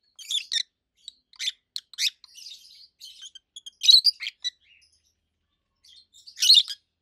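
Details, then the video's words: Two adult captive rosy-faced lovebirds, a red-head green opaline and a white-head pallid aqua opaline, giving loud, high, sharp chirps in irregular bursts, some rapid chattering notes between louder shrieks. "Rosy-faced Lovebirds Call Sounds"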